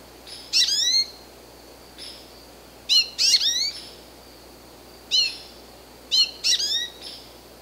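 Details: American goldfinch calling repeatedly in quick, high twittering bursts: sharp downslurred chirps run into short jumbles of sweet sliding notes, with softer single notes between, over a light steady hiss.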